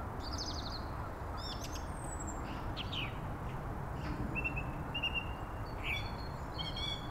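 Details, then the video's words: Song thrush singing varied high phrases of clear whistles and scratchy notes, one phrase repeated twice, over a steady low rumble of wind or distant traffic. "Song Thrush"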